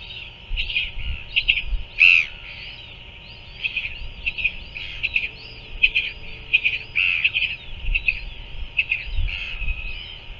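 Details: Royal albatross at a New Zealand nest as the chick is fed by a parent, 5:41 pm, 7 February 2024: a steady run of high, squeaky chittering notes in quick irregular bursts, a louder squeal near the start, low wind rumble.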